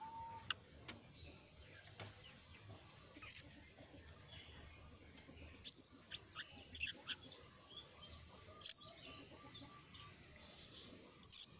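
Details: A young forest jongkangan in moult gives a call: short, sharp, high chirps with a quick upward flick, spaced irregularly a second or two apart over a thin, steady high hiss.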